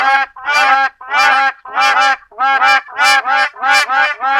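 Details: Black crowned crane calling with harsh, goose-like honks, each a rich nasal blast, repeated roughly every half second in a regular run.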